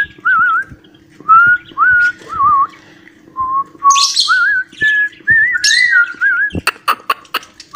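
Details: Cockatiel whistling the melody of "Johny Johny Yes Papa", a string of short wavering whistled notes stepping up and down, with a brief harsh screech and a few sharp clicks near the end.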